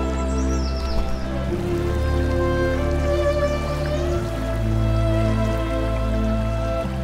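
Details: Soft sustained instrumental music with slow shifting tones and low drones, no animal sounds audible.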